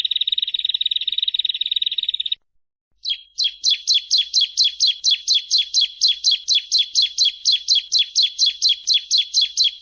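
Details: Bar-winged prinia (ciblek) master song: a dense buzzing trill held for two seconds, a pause, then a steady series of loud high rising-falling chirps, roughly three per second, clear and without background sound.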